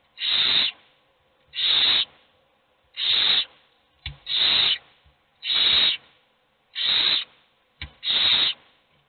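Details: Hungry owl nestlings begging in a nest box, only one fed: a steady series of seven rasping hiss-screeches, evenly spaced about every 1.3 seconds, with faint soft clicks between.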